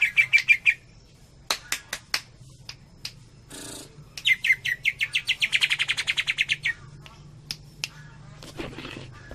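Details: Greater green leafbird singing tembakan-style, Cililin: a short chip burst, isolated sharp clicks, a noisy rustle, then an extended rapid volley of high repeated notes, ending in sparse chips.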